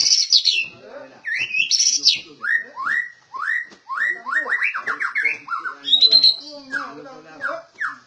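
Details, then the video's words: Rare white-rumped shama kept and trained in a cage, delivering a long varied song of upslurred whistles repeated in rapid series. Some notes are higher and buzzier, with soft chatter in the background. "Suara Burung Didikan Bagus Murai Batu langka"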